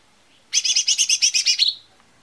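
A lesser green leafbird gives a quick, bright burst of about ten high chattering notes in just over a second, ending in a falling slurred note.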